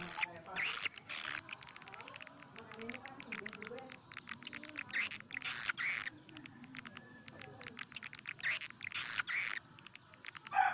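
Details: Swiftlet lure call used for swiftlet houses: dense runs of sharp, rapid clicking chirps and buzzy bursts, stacked closely with short gaps throughout.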